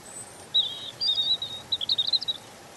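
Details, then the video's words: A European robin (Erithacus rubecula) sings a high, thin, gentle phrase: a few sweet drawn notes, then a quick tumbling run of sparkling twitters, against faint background hiss. "Ласковое пение Зарянки(малиновки)"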